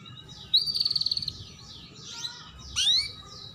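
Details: Female canary giving chirps meant to stimulate young birds to sing sooner and boost breeding drive: a high, fast pulsed trill lasting under a second, then faint sweeping notes and a sharp rising whistled slur.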